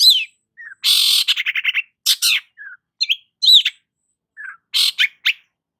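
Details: Lively 'gacor' singing of a long-tailed shrike, meant to rouse a stressed shrike: harsh broadband rasps followed by rapid stuttering notes, interspersed with short descending whistles and soft low chips.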